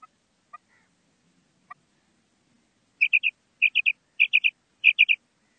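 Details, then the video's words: Female quail calling: a few sparse low notes open, then clear high clipped triplets, each quick run of three sharp notes repeated about every 0.6 seconds, against a silent background. "female quail call maadi batair ki awaz"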